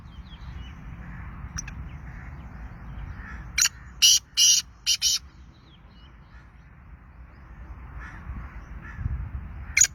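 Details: Black francolin from Sindh calling: a loud, harsh series of five grating notes in quick succession, then a lone final note, over steady low background noise.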